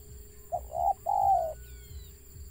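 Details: Wild spotted dove with a stuttering call: a short clipped note, then two longer throaty coos falling slightly in pitch, over a steady low hum and faint high whistle-like tones.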